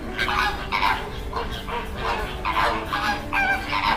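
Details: Greater flamingos at a backwater in Bagalkot: distinct nasal honks come in bursts about every half second, each a short, slightly rising goose-like note, with more birds calling softly behind.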